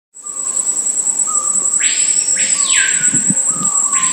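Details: Screaming Piha (Lipaugus vociferans) at Una, Bahia, Brazil, on 31 January 2014: loud, sweeping whistled notes rising then falling, with low steady tones between, over a continuous high insect whine.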